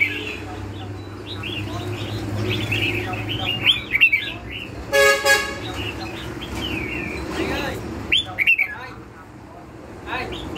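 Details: Red-whiskered bulbul giving lân hầu bò style song, with rapid chirping whistles and bubbling phrases. A car horn blares briefly midway, and traffic rumble and faint voices fill the background.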